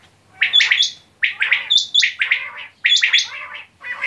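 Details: Quail calling in quick clusters of two or three bright, high chirps with clear whistled overtones, repeated about every second with brief silences between groups.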